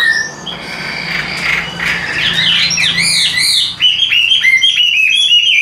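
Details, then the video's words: Chinese hwamei, a tame cage bird singing while hand-carried, pours out varied loud whistles and warbles, shifting into bright clipped notes repeated rapidly toward the end. "Nhẹ Nhàng Sách Tay Hót, Đầu Mặt Cực Đẹp. Đấu Xòe Đuôi. Giọng Hay Ra Giọng Rất Đều"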